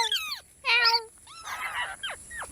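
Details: Talking parrot giving a mix of sounds: clear falling whistles, a harmonic nasal note, then a buzzy raspy burst followed by two short downward-sweeping whistles.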